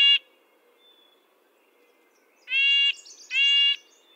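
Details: The tail of one nasal call from a red-breasted nuthatch, then a two-second gap and two more tin-trumpet-like calls close together, with faint high twittering between them.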